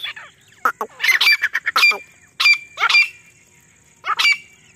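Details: Female grey partridge in jungle, her call used to lure partridges for hunting: scratchy, grating bursts in clusters, with quieter gaps between groups of two or three.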